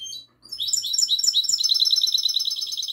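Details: Night recording of a goldfinch hybrid singing classic song, 22 March 2020; a short high phrase, a brief pause, then a loud rapid cascade of bright, tinkling, trilled notes running continuously.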